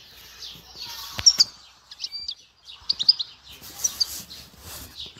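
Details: Goldfinch from Dehouara, Souk Ahras, giving scattered bursts of high, tinkling twitters and a brief pure whistle, with a few clicks and soft background noise between phrases.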